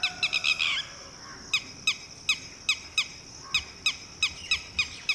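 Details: Red-wattled Lapwing parent calling a chick minutes out of the egg to take cover: a brief harsh jumble, then clear, sharp single notes repeated evenly about every third of a second.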